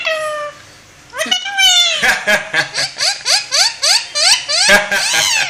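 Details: Talking parrot giving a drawn-out, falling harmonic call, then a quick run of about a dozen rapid, rhythmic rising chirps that sound like giggling laughter.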